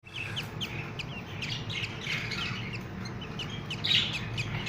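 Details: Budgerigar (Melopsittacus undulatus) baby chicks give rapid, scratchy chirps in a busy, overlapping chorus of begging calls.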